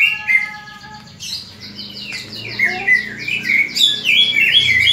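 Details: Fighting call of a greater green leafbird, used to stir other leafbirds to fight: one steady harmonic note opens, then a dense, quickening cascade of high chirps and whistles builds louder.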